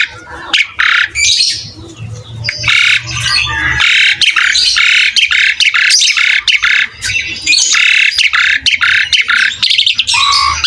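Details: Asian pied starling singing loudly: continuous harsh, rasping squawks and broadband chatter in quick succession, with some scratchy notes, over a low hum.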